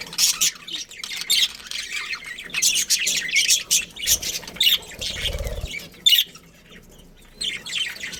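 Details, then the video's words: Budgerigar colony including a breeding pair: repeated loud bursts of harsh, high chirps and squawks separated by short pauses, with a low thump midway. "Cute Budgies Chirping Sounds"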